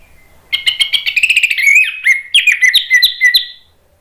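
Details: Orange-headed thrush song played as therapy for thrushes that have stopped singing: a rich, rapid three-second stream of chattering and whistled notes, some sliding downward, delivered in quick succession with no other sounds.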